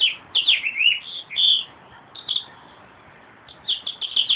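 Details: Short bursts of slurred, warbling whistles from a meadowlark, separated by brief gaps, ending in a quick chattering run.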